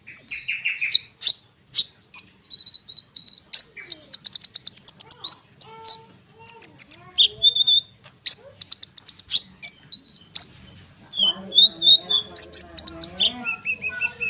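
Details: Konin bird singing nonstop, a lure to draw responses from sunbirds and other birds; long varied stream of high whistles, trills and rapid chirps with quick repeated note bursts, some softer lower warbling.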